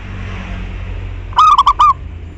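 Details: Local zebra dove in song, meant to stimulate other doves to sing: a single quick phrase of four rounded cooing notes over steady background hiss and low hum.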